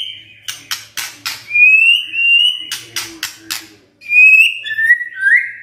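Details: White-rumped shama song in the kretekan and tembakan styles: harsh crackling broadband bursts alternate with long, pure, level whistles near the top of the range, ending in rising whistled notes.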